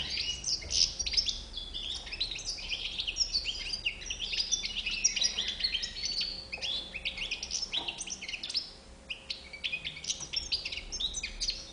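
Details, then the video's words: A European goldfinch sings a long, energetic stream of tinkling chirps and buzzy trills, briefly easing off before resuming, with a faint hum throughout. "chardonneret a bouc blanc"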